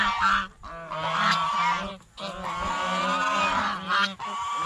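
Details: Geese eating bread and fresh vegetables beside a fish pond honk in long, loud, blaring bouts with two short breaks, many voices layered together.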